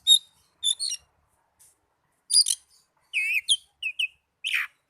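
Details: Oriental magpie-robin song used to rouse caged birds that are slow to sing and as tutor material; sparse high chirps and twittering notes, then a run of curling whistled phrases separated by brief pauses.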